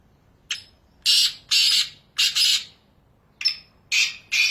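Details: Black francolin calling in natural habitat in Pakistan: harsh, grating, broadband bursts in a rhythmic series of short rasping notes separated by brief pauses, with little background noise.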